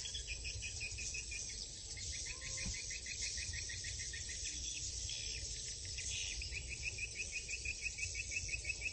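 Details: Swiftlets at a swiftlet farm in Cambodia give rapid, buzzy trains of clicking chirps, repeated several times a second and overlapping steadily, over a low background rumble.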